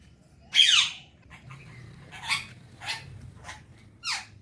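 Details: Alexandrine parakeet, a talking pet parrot, enjoying the morning: one loud harsh squawk, then a few shorter raspy notes spaced about half a second apart in a quiet indoor room.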